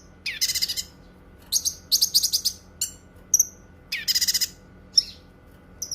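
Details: Cucak kinoi song for tutoring and therapy: repeated rapid trills of about six to eight pulses separated by short high whistles and chips.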